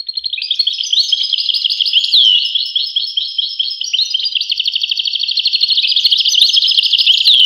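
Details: European goldfinch delivering a long, unbroken twittering song of bright chirps, quick trills and occasional downslurred whistles, steady and loud throughout.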